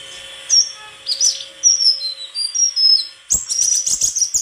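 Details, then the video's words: White-throated flycatcher song: clear, thin whistled notes sliding up and down at high pitch, followed by a rapid, scratchy twittering burst, over a steady faint hum. "Sikatan krongkongan putih suara gak kalah sama burung kicau lain"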